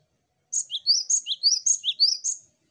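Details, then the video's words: Cinereous tit singing, played to lure other birds into song: a bright, high phrase of paired notes repeated about seven times at a quick, steady pace for two seconds, with no other sounds. "Burung Gelatik Batu Pancing Ombyokan Agar Cepat Bunyi l Zeer melodieuze zang van de Mees (vogel)"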